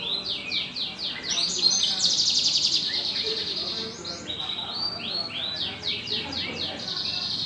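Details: Canary kept in a lovebird cage, singing actively: fast runs of trilled and chopped notes, high and bright, rolling through varied phrases with scarcely a pause.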